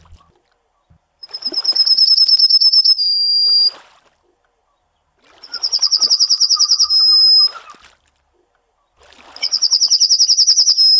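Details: Yellowhammer (Emberiza citrinella) singing three songs, each a fast run of high, buzzy repeated notes that ends in a drawn-out sustained note, with a few seconds of silence between songs.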